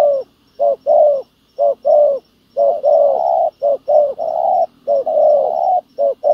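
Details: Spotted dove used as a ground decoy to draw in wild doves, giving hollow low coos in pairs with some long, drawn notes, against a faint low hum.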